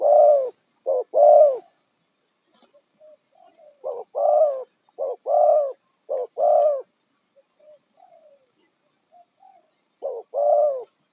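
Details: A wild spotted dove used for decoy trapping repeats low hollow coos in pairs, short then long, broken by quiet soft notes between bouts, over a faint high hiss.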